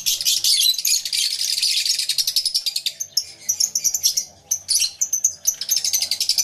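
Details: Nonstop high, buzzy chattering from many lovebirds in an aviary, recorded with a camera and two external microphones, with rapid pulsed squeaks repeating several times a second throughout.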